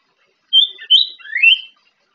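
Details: Young orange-headed thrush learning its song in the morning, kept as a lure to prompt untrained thrushes: three clear whistled phrases, the last sliding upward, delivered within about a second, otherwise quiet.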